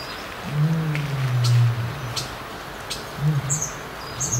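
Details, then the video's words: A North African ostrich, a threatened subspecies in a zoo breeding programme, gives a deep, drawn-out booming rumble lasting over a second, then shorter low hoots; faint high chirps in the background. "North-African Ostrich"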